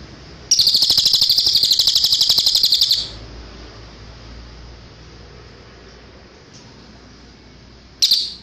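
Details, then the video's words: Cililin song played as a training recording for caged birds: a rapid, buzzy high trill of fast repeated notes lasting about two and a half seconds, then near silence, with a second short burst at the end. "MASTERAN CILILIN suara asli jernih"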